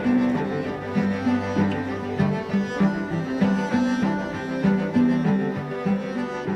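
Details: Bowed string music with violin and cello playing a slow, repeating low melody; no animal calls.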